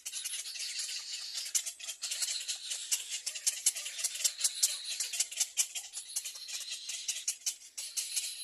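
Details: Little egret chick biting its mother's bill gives a dry, rattling chatter of rapid high clicks and scratchy bursts, about one burst per second, with sharp clacking sounds mixed in.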